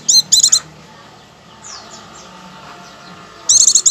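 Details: Oriental white-eye (pleci) in the ngecir song style, used as a lure to make pleci sing at once: two bursts of rapid, very high, sharp chirps, one at the start and one at the end, with a quiet gap between.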